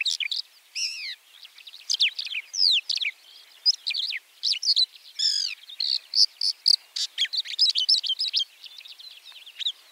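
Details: Alauda leucoptera, the white-winged lark, pouring out a long, rambling song of rapid chirps, down-slurred whistles and short trills, growing denser and more clipped toward the end.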